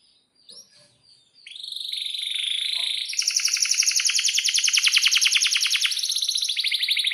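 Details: Vigorous canary song with a long roll: a few soft scattered notes, then a rising buzzy trill that turns into a fast, evenly pulsed high roll lasting about four seconds.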